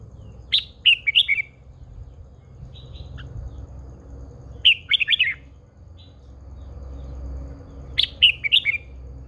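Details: Old wild-caught female red-whiskered bulbul kept as a cage bird, calling to fire up males; three short bursts of four to five bright, slurred chirping notes, repeated about every four seconds, over a low background hum.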